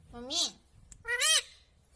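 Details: Green ringneck parrot kept as a pet uttering two drawn, nasal harmonic syllables about a second apart, each gently arching in pitch, in a quiet room.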